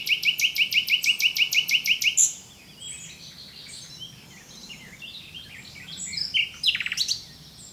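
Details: Singing common nightingale opens with a loud, steady series of about fourteen rapid repeated notes, then quieter varied warbling and a brief sharp flourish, with soft background birdsong.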